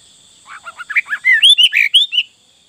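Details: Sooty-headed bulbul in full isian song: a bubbly, fast run of varied warbled notes that climbs from low gurgles to brighter, higher slurred whistles over nearly two seconds. A faint constant high hum sits behind.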